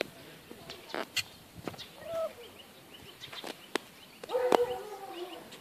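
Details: Turkey inside an observatory gives a short nasal yelp, then a longer burst of throaty, harmonic clucking near the end, over scattered knocks and sharp clicks.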